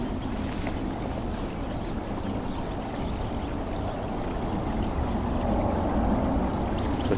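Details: A steady wash of rushing, gurgling water fills the whole stretch, with no animal voice.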